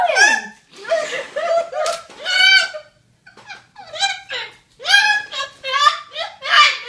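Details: Cockatoo indoors giving loud, harsh, rasping calls in quick bursts, each rising and falling in pitch, with short pauses between outbursts.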